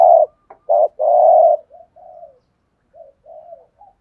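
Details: Decoy spotted dove calling to draw wild doves into answering: a short note, a clipped double note and one long resonant coo, trailing into soft, quiet, falling murmurs.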